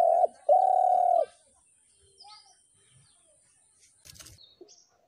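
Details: Spotted dove: a short steady mid-pitched coo, a brief pause, then a longer level coo of about three-quarters of a second, followed by faint twitters from other birds.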